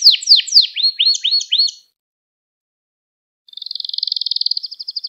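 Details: Canary song used to train young canaries: a series of swooping down-slurred notes repeated several times a second, a pause of silence, then a rapid high pulsing trill.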